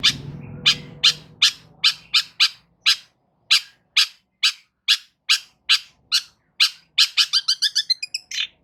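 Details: Long-tailed shrike singing loudly to provoke other shrikes into answering: harsh, scratchy notes repeated about twice a second, speeding into a quick stuttering burst at the end, with a faint low hum at the start.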